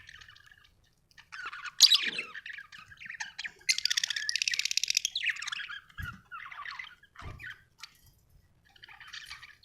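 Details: Budgerigar chirping in separate phrases: a harsh squawk, a long rapid buzzing trill, then shorter warbled chirps with soft knocks between them in a quiet setting.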